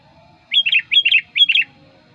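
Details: Sooty-headed bulbul, known as kutilang, used to lure wild birds, giving three identical short bubbly phrases, each a rising note followed by quick dropping warbles.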